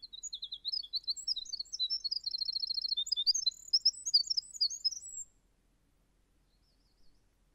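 A Winter Wren pours out a long, very high, tumbling song of rapid notes and fast trills lasting about five seconds, then falls silent.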